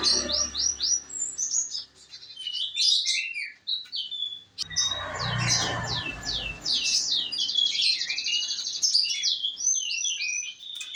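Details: Canary, F2SF type, delivering varied song: quick descending whistled notes and chirps, a short pause, then dense rolling trills and fast repeated sweeps, with low background noise.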